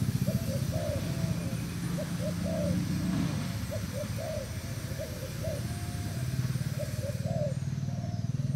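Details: Thai decoy spotted dove recorded 18/06/18, giving soft repeated low coos in a steady sequence of short phrases, partly masked by a loud constant low rumble.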